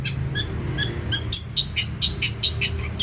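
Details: Cendet, a long-tailed shrike, singing actively: a few evenly spaced high double notes, then a quicker burst of buzzy, bright chirps.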